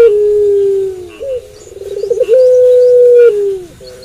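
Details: Night cooing of a puter pelung dove: a long low steady tone falling at its end, a short bent note, a wavering pulsed roll, then another long level hum that dips down. Faint high chirps are audible.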